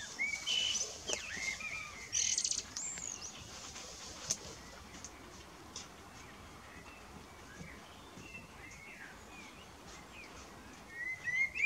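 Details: Common blackbird singing in the evening, outdoors: low fluted whistled phrases with brief high twittering flourishes, separated by pauses of a few seconds, over steady background hiss.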